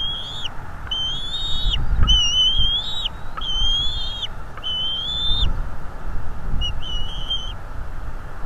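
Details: Male bald eagle on a North East Florida nest cam, attacking an intruder: rapid squeaky piping call notes in short bursts repeated roughly once a second, thin and slightly rising, over a steady low hum.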